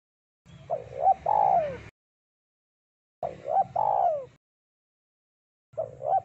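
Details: Actively singing spotted dove with a deep voice, used as a lure: three phrases about two and a half seconds apart, each two short rising coos and a long falling coo, over a low hum.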